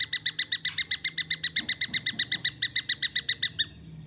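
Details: Juvenile long-tailed shrike giving a quick, regular burst of rasping notes for about three and a half seconds before falling silent, with a soft low rumble behind.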